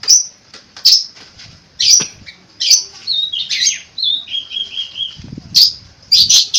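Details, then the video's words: Long-tailed shrike (cendet) song with mimicked phrases: sharp clicks and chips, then a harsh squawking burst followed by a series of clear level whistles, with a low thump near the end. "burung cendet gacor full isian unik 2021"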